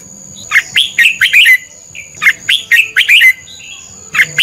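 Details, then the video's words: Red-whiskered bulbul lure bird singing a competitive duel song, used to train and stir other bulbuls to sing: two bursts of quick, rich warbled notes, each about a second long, with a faint steady high whine in the background. "Chào mào mồi hót đấu quá tuyệt!! - Luyện giọng Chào mào hót hay ép bổi sổ bọng và căng lửa"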